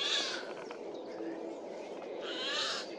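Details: Eurasian jay calling loudly in a forest on 15 April 2024 while moving between trees: two harsh, raspy screeches, one at the start and one near the end, over a steady low background hum.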